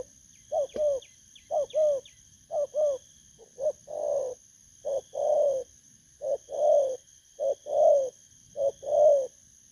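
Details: Recently caught spotted dove calling from a cage in Vietnam on 19 August 2024. Short double coos give way to longer, fuller rolling coos at a slower pace. A brief soft chirping sounds early on, and a steady whine runs throughout.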